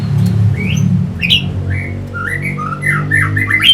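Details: Whistled, slurred phrases from an orange-headed thrush, a lure song meant to stir fighter birds. Short rising and falling notes come in an uneven string over a strong low droning hum.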